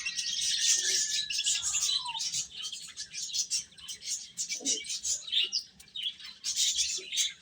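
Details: Chicks eating and peeping in a busy group, sharp high chirps in a constant overlapping stream, one longer descending whistle early on and faint lower clucks.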